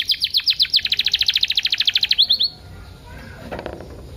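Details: Pancingan kenari paud with full isian, meant to prompt canaries into song: a fast, even trill of about twenty high notes lasting two and a half seconds, then near silence with faint background sound.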